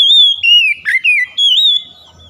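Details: Oriental magpie-robin song played to stimulate singing: loud, rich whistled phrases that dip and rise, with a short harsh note in the middle, then a high sustained whistle before fading.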